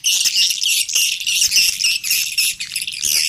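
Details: Swiftlets calling, a roosting lure for a three-storey swiftlet house: a loud, unbroken wall of high, sizzling twitters and trills with quick chirping notes throughout.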